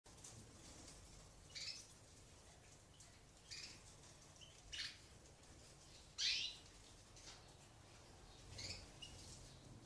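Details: European goldfinch chicks begging as an eumo-mutation female feeds them in an aviary during natural breeding; short, high, hissy bursts of begging come every one to two seconds against a quiet background.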